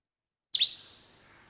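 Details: Australian lyrebird, mimicking sounds heard in the forest to out-sing rivals, gives one sharp, bright click-like burst that fades quickly, a copy of a camera shutter. Nothing else is heard.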